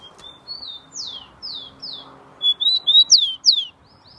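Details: Tico-tico (saffron finch) singing freely in São Paulo on 27 September 2015: descending high whistled slurs about twice a second, building into louder, rapid, clear chirped phrases before stopping.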